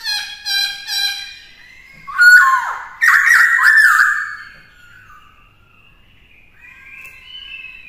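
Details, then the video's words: Black-throated laughingthrush, a caged bird used to train a young bird to sing in many voices, gives harmonic nasal notes, then a loud burst of rich, warbling phrases, and finally faint drawn-out whistles in a small room. "Luyện Khướu hót nhiều giọng hay - Luyện khướu bổi hót hay - Kích khướu căng lửa hót múa"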